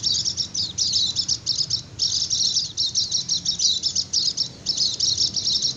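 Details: Lure song of a white-eye, used for trapping wild birds in forest and to make idle birds sing: nearly continuous high, fast twittering in short bursts, with a faint low hum beneath.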